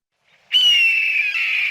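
A Red-tailed Hawk gives its hoarse, drawn-out scream, a single high, rasping note that sags slightly in pitch and holds steady without a break.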